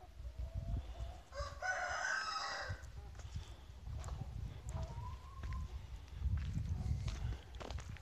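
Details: On a farm, a chicken crows once, a harsh harmonic call of about one and a half seconds, framed by short clucks and steady low-pitched rumbling noise.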